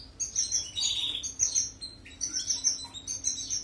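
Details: European goldfinch song used for canary training: tinkling high chirps run together with a descending buzzy phrase near the start, then short repeated twittering bursts; faint electrical hum in the background.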